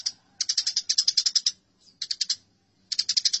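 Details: Eurasian tree sparrows fighting: bursts of rapid, harsh chirps, about ten per second, in runs of roughly a second separated by short pauses.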